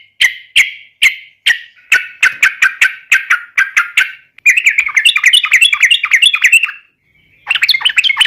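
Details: Yellow-vented bulbul giving a fighting song meant to provoke rivals: a run of sharp, spaced chattering notes, then a faster, denser burst of scratchy rattled notes, a brief pause, and a renewed rattle.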